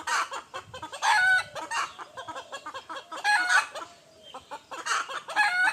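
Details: Several roosters crow in the morning in loud, harsh, overlapping bursts roughly every two seconds, with softer clucking and chatter from other fowl in between.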